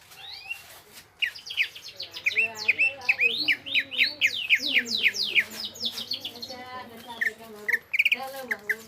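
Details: Greater green leafbird (cucak ijo) singing in gropyokan gacor style: dense rapid high chirps and sharp downward-swept whistles, over a lower harmonic warbling sound in the background.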